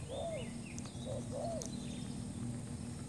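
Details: Spotted dove lure call for trapping, from a new bird: a short burst of two hoarse downward-slurred coos around a brief clipped note, with faint whistling of another bird and low background rumble.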